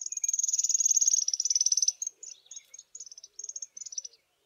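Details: A small party of African firefinches in morning sun on a cold day, South Africa: long high rapid trill nearly two seconds, then broken bursts of quick chattering notes and short trills.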